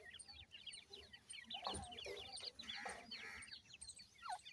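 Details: Indian pheasant (teetar) chicks, young birds kept in care, with many overlapping high thin peeping chirps, short rising and falling notes, and some clucking and handling noises in the background.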